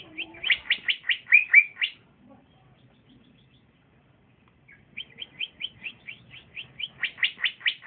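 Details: Trotolan-style song of a young male green leafbird that sings boldly when set next to another: a burst of loud rapid chirps, nearly three seconds of silence, then a long accelerating series of high clipped notes.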